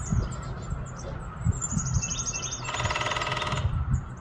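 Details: A woodpecker drums on a metal gutter to attract a mate and mark territory: one rapid, ringing roll about a second long, loud and metallic, while high, thin chirps from other birds continue throughout.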